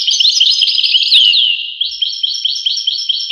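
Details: European goldfinch song: rapid tinkling twitter with a falling slurred whistle, then a run of evenly repeated bright chirps roughly four per second, clean and free of background noise.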